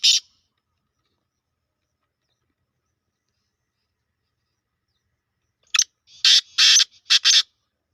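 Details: Sindhi black francolin in a harsh calling contest between two birds; a brief rasp, a long silence, then a rapid series of loud, coarse, grating bursts late in the recording.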